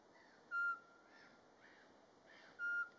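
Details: Wild Eurasian pygmy owl in Latvia in March, in the mating season, calling by day without playback: two soft, even, monotone whistled hoots about two seconds apart, with faint hiss behind them.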